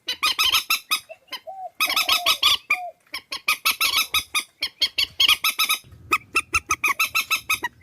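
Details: Swamphen calls compiled to lure birds for trapping in Vietnam: dense chattering series of nasal, braying honks, a few softer low mews, then faster clipped notes over faint hum.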